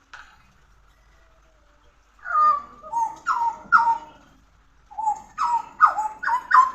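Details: Pied butcherbird giving soft whistles after a quiet start, then two groups of mellow, down-slurred fluty notes, the second group higher and more emphatic.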